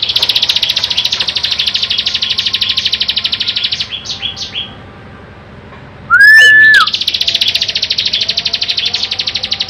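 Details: A bar-winged prinia gives a fast, buzzy, high chattering trill, broken by a few short notes and one loud, steady mid-pitched whistle before the chatter resumes.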